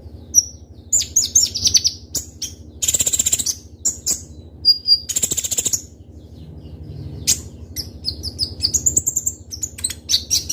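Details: Gacor Kolibri Ninja sunbird with a filled song of sharp, crystal-clear shots: scattered high chirps, short piercing whistles and rapid twittering runs, broken by noisy rustling bursts over a steady low hum.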